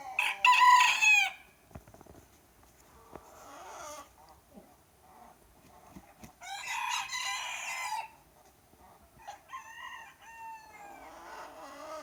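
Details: Several roosters crowing in the morning without stopping: three separate crows in turn, the first loud and close, the others softer and farther off, with pauses between them.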